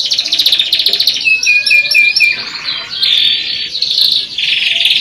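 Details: Canary singing a sequence of rattling high rolls, a lower steady whistled trill, then further bright buzzy trills, with no pauses between sections.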